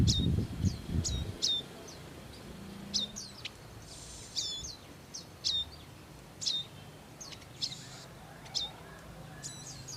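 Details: Wild Bar-winged prinia adults tending young: crisp, high, downslurred chips delivered roughly every half second to second, with a few brief hissing bursts and low rumbling noise at the start.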